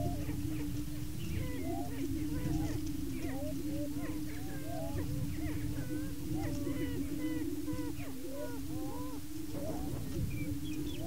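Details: Lek of displaying, fighting male Greater Prairie Chickens in Washington County, Kansas, contesting breeding territory; a constant deep hum underlies a busy stream of short hooting upsweeps and chattering cackles from many birds.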